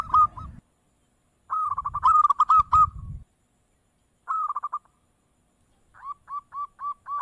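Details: Zebra dove (perkutut) repeating quick bubbling coo phrases: a long rolling run, then a shorter burst, then evenly spaced single coos. Low rumbling noise accompanies the early phrases.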